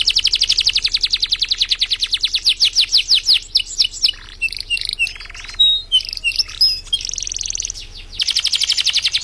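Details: Champion contest canary from East Java, Indonesia, giving a long rapid rhythmic trill that loosens into scattered chirps, thin whistles and softer chatter, then bursts back into a loud fast trill.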